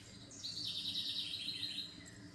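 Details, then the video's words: Bird song offered as relaxing sounds: a high, rapid twittering phrase of trilled notes lasting about a second and a half, with a low steady hum underneath. "SONIDOS DE PÁJAROS RELAJANTES"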